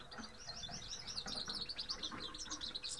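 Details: Several grey-headed (Himalayan) goldfinches (Carduelis caniceps) give a busy stream of high, tinkling twitters and chirps, overlapping continuously.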